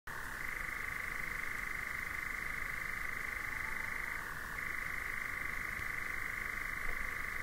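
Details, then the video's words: European nightjar churring outdoors near two bears in front of a hide, with a cuckoo in the background: a long, steady, mechanical trill, briefly dropping in pitch before resuming, against a soft hiss. "Björnar med Nattskärra och Gök i bakgrunden."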